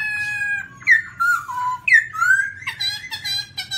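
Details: Black-throated laughingthrush singing on rocky mountain ground, recorded 2016: a string of loud, slurred, rich whistles that dip and rise, with pauses between phrases, over a steady low hum.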